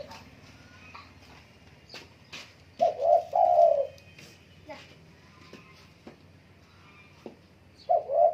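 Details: Spotted dove cooing a paired phrase of short coos and a longer drawn coo, then beginning another, amid clicks, knocks and faint high bird chirps.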